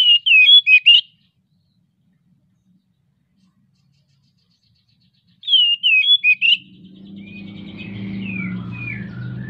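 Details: Oriental magpie-robin in breeding condition, song used to prompt other birds to sing: two matching bursts of piercing, looping whistled notes about five seconds apart, followed by a rising rumble and faint chirps.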